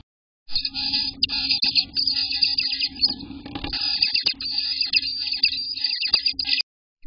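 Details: Sustained high, buzzy hissing chatter from eighteen-day-old Eastern bluebird nestlings in the nest, June 24, 2021, lasting about six seconds with scattered clicks and a soft rustle midway.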